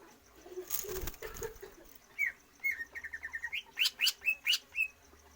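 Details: Greater green leafbird used for stamina training without free-flight exercise. A flutter-like rustle leads into a quick series of short whistled notes, then several louder, sharper upward-sweeping whistles spaced evenly.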